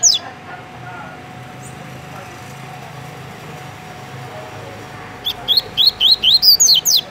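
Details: Captive double-collared seedeater in Rio de Janeiro, Brazil, singing tui tui: after a long quiet stretch with faint background hum, a rapid burst of roughly ten loud, rising and falling whistles closes the recording.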